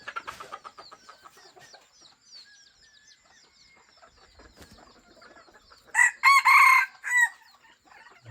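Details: Hybrid red junglefowl breeding rooster on a rural farm, its voice described as having become deep and good; after several seconds of soft chirping and clucking, a loud, broken crow of rapid harsh bursts arrives near the end.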